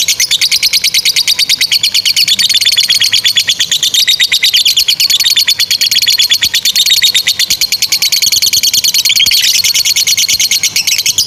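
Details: Lovebird delivering an extended 'ngekek' chattering song meant as a master for young or stalled birds; a long, unbroken, high-pitched rattle of rapid pulses, varying slightly in pitch across eleven seconds.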